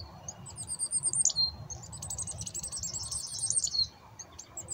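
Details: High, rapid chickadee notes from hand-fed black-capped chickadees, a dense run of thin, slightly buzzy chips lasting about three seconds over a soft low background rumble.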